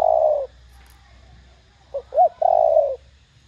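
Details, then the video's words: Spotted dove in the thổ đồng voice style, loud and clear, cooing to stimulate other doves to answer: a long low coo, a pause, two short clipped notes, then another drawn-out vibrating coo. "Tiếng cu gáy THỔ ĐỒNG âm To Rõ kích bổi nhanh nổi.Cu gáy GÁY GỌI kích bổi gáy ngay."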